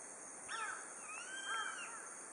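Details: Grey-faced buzzard (Butastur indicus), first heard this autumn at evening from the pass at Nishiamuro, Kakeroma Island, Setouchi, Amami Ōshima, gives two slurred, plaintive whistles about a second apart, each rising then falling, over a steady high insect drone.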